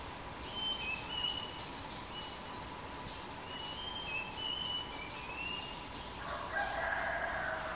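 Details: Bulbul; territorial call; territorial challenge from a fierce resident bird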